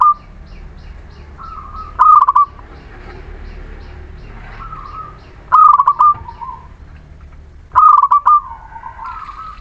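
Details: Local Muria zebra dove song, used to coax silent birds into singing: three quick clusters of chattering coos, each followed by a soft sliding tail note, over a faint hissing background.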